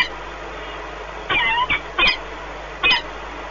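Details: At their Płock, Poland nest on 1 March 2019, a peregrine falcon pair bonds during a long meeting; three short bursts of harmonic squealing notes, the first slurred and falling, against a constant low hum.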